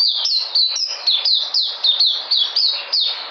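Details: White-eye called puteh, recorded 13 February 2020 while regaining vigour: a quick series of bright, high downward-sliding chirps, roughly three per second, each sharply struck.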